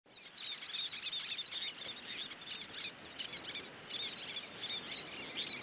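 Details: Least terns (Sternula antillarum) at a busy beach nesting colony with chicks, juveniles and adults, where adults fish and drive off other terns, keep up a dense, high, raspy chatter of overlapping squeaky calls, several each second.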